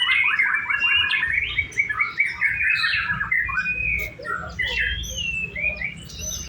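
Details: White-rumped shama (murai batu) singing in a simulated singing contest: a fast run of repeated chirpy notes for about two seconds, then varied whistled phrases and high sweeping notes, over a low background rumble.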